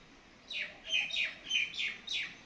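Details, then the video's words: A common (Indian) myna gives five quick, harsh, down-slurred whistled notes, about two to three per second, against a faint background hiss. "Typical Indian Myna Bird Singing Sound"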